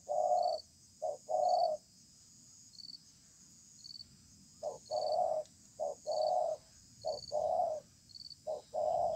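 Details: Wild-caught spotted dove calling in a match below a communal stilt house: clusters of short and long mellow coos separated by a pause of about two seconds, over a steady series of high beeps.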